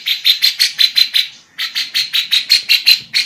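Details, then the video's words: Captive female lovebird in full song, with a 'kapas tembak' and 'cucak jenggot' style song used as learning material for other birds. It gives a fast run of shrill, harsh chattering notes, about five per second, pausing briefly before resuming. "love bird betina Cengkok kapas tembak"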